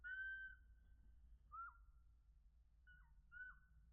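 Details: Chickadees being hand-fed at a Conservation Area: a long clear whistled note, then short falling whistles, over low rumbling background noise.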